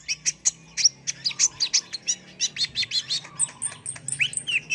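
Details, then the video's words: Energetic kolibri ninja sunbird song of sharp high chips about three per second, turning into a thin jingling trill and slurred whistles near the close. "MASTERAN BURUNG KOLIBRI NINJA GACOR ISTIMEWA"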